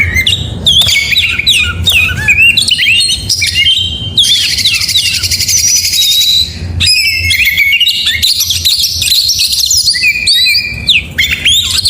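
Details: Oriental magpie-robin in full morning gacor song: rapid chains of whistled, downslurred notes and dense high chattering bursts, pausing briefly midway, with low background hum.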